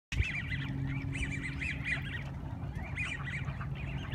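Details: Squeaker ducks of unknown breed, not mallards, giving high squeaky calls like rubber duckies; short arched notes in rapid runs over steady low background rumble.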